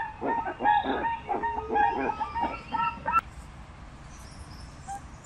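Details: Nasal honking calls of a crested guan for about three seconds, delivered quickly and overlapping, then stopping and leaving quiet background with faint high chirps.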